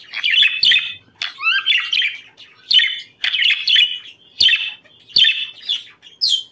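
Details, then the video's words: Budgerigars warbling to encourage breeding, buzzy chirping bursts separated by short gaps, with a few rising whistled slides and sharp clicks. "ESTIMULA CELO PERIQUITOS"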